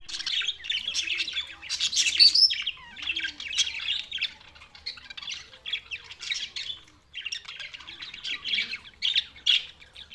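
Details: Budgerigars recorded on June 7, 2024, in Larkana, Sindh, giving busy squawking chatter, bursts of harsh and chirping notes running almost continuously with brief pauses.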